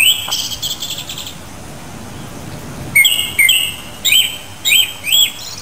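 Japanese Thrush: a quick rattled burst of high notes, then five clear, slurred whistles about half a second apart, over a soft background hiss.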